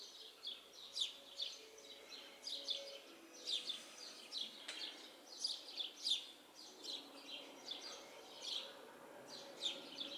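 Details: House sparrows chirping from a tree in a yard: dense bursts of short, high, slightly harsh notes, several per second, rising and falling in loudness over a faint background hum.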